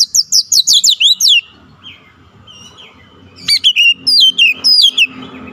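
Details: Kacer, or oriental magpie-robin, singing persistently through its isian fill-in phrases: a rapid volley of sharp descending whistles, a quiet gap with a soft drawn-out note, then another fast burst of bright notes; faint low background hum.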